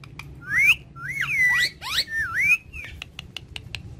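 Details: Talking pet parrots perched on a charpai indoors give loud swooping, bending calls, three looping squawk-whistles in close succession, then scattered clicks and taps against a quiet room background.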